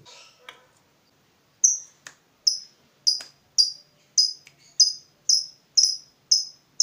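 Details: Fighter lovebird agitated by a rival, repeating sharp high chirps about twice a second in a steady series after a short quiet start.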